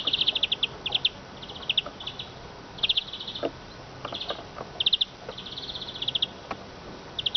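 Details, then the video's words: Eurasian siskin giving short high trilled bursts, each a quick rattle of tiny notes, repeated at uneven intervals with faint clicks and ticks between them. "iskete kusu sesi"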